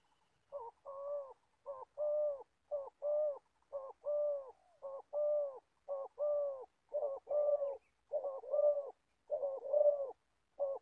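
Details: Spotted dove kept as an old decoy for trapping in Gia Lai, Vietnam, coos in a brisk run of about sixteen short and drawn-out mellow notes over eleven seconds, with small pauses between units. Nothing else is audible.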